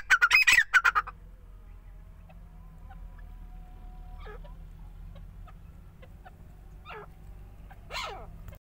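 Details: Grey francolin gives a loud, harsh burst of five or six rapid grating notes in the first second, then near silence with faint clicks and a few distant chirps.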